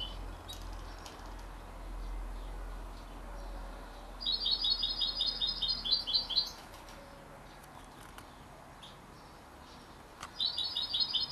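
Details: A young canary–goldfinch cross at 33 days of age produces a two-second burst of rapid high tweets, then falls silent before starting a fresh burst near the end, with faint clicks and hiss in between.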